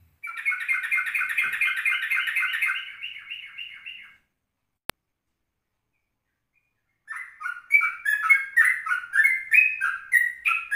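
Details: Yellow-vented bulbul song recorded in the morning at 04:30 as a lure for other birds: a fast run of bubbly, warbled notes for four seconds, a gap with a click, then another burst of rich, rising and falling phrases.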